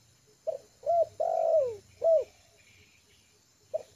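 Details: Trained spotted dove, a lure bird now relaxed on the ground, delivers its mellow four-part coo. A quick note, a curved coo, a long falling drawn note and a last curved coo, then a pause and a fresh soft note.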